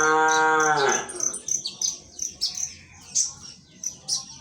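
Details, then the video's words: Greater green leafbird from Indonesia singing: a run of short, sharp, high chirps and twitters at uneven intervals, following a loud, drawn-out cow moo that fills the first second. "konin ijoan gacor"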